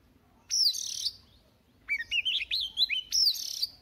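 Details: Oriental magpie-robin, described as a young bird warming up its voice each morning, sings loud buzzy high bursts at the start and end, separated by a quick run of rising and falling whistled slurs in the middle.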